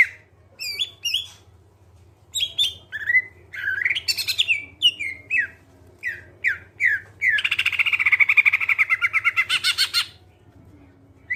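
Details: Clear greater green leafbird song used to draw other birds into singing: scattered slurred whistles and harsh notes, then a long rapid churring trill of about three seconds, over a steady low hum.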